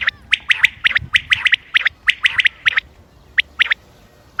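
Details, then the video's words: Common quail calls, recorded 28 May 2025 for hunting use. Sharp, quick notes repeat in a steady run for almost three seconds, then thin out into a few separate notes against a quiet background. "quail bird sounds common quail bird sounds بٹیر کی آواز شکار کیلئے"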